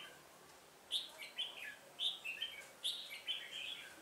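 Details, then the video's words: Trapping decoy red-whiskered bulbul, voice style 'Họng ếch ương', recorded 1 October 2018, delivers three quick bright phrases, each a sharp high note followed by tumbling lower whistles, roughly one phrase per second. "Bẫy chào mào Họng ếch ương"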